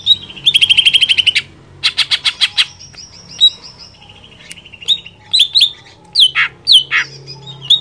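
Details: Greater green leafbird song meant to provoke other leafbirds into excited singing: a fast, bright trill, then bursts of rattling notes and sharp, slurred whistles, with a faint low hum underneath.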